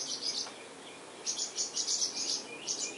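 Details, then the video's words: Eleven-day-old purple martin nestlings at Spring Branch, Texas, June 2010, filmed at close range: thin, high raspy chirps, a brief burst, a pause, then a run of quick repeated chirps. "Baby Purple Martins Day 11"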